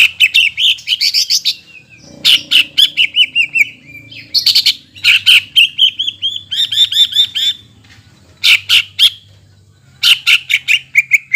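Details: Greater green leafbird song used as a lure to stir birds after moulting: bursts of rapid, sharp whistled notes, rising and falling, in phrases of about a second broken by short pauses, with a faint low hum beneath.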